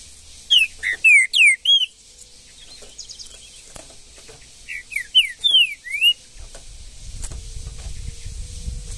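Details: Green-winged saltator in Brazilian bushland delivering two bright phrases of rapid, slurred whistled notes, each about a second long, separated by a pause, with low rumbling noise toward the end.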